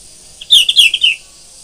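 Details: Morning song of a sooty-headed bulbul: one quick, bubbly phrase of about six liquid, fairly high notes in under a second, over a steady high hiss.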